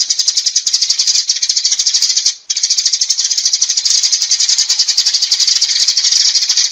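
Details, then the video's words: Sparrow gathering its flock with a steady, high rattle of fast chirps, broken by a single brief pause. "Tiếng Chim Sẻ Gọi Bầy Chuẩn Rõ"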